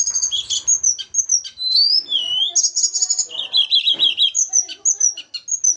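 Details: Javan mountain blue flycatcher in captivity, during pairing, pours out a dense varied song of clear sweet whistles, high trills, and descending slurs, with a fast series of repeated mid-pitched notes near the middle.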